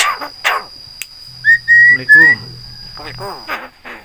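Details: Caged buffalo myna, a talking bird trained to imitate human greetings and coughing, gives three clear whistled notes, the last rising, among speech-like harmonic syllables, with a steady high electrical whine throughout.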